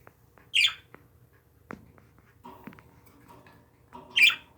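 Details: Two loud, harsh, rasping squawks from pet parakeets, one near the start and one near the end, with soft chirps and clicks between.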